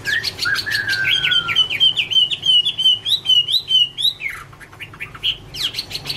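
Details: Garrulax canorus, known as Chinese hwamei, in autumn love song: opening sharp chirps, a long wavering whistled trill, then scattered high notes toward the end.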